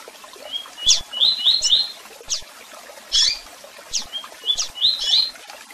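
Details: Tui-tui song of a double-collared seedeater, with chirps and calls: sharp descending chips interleaved with quick triplets of rising whistled notes, in two similar phrases.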